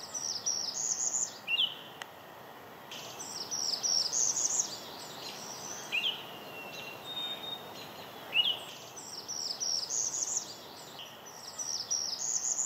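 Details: Northern Parula, an abundant May migrant at Mount Auburn, singing its typical local song version: high buzzy rising trills ending in a sharp lower note, repeated several times with scattered high chips from other birds in the background.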